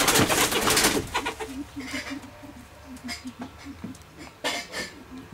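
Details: Mrs. Hume's pheasant (Syrmaticus humiae) at a pheasant breeding nursery gives a run of soft, low clucking notes, about three a second, after a brief burst of rustling noise at the start.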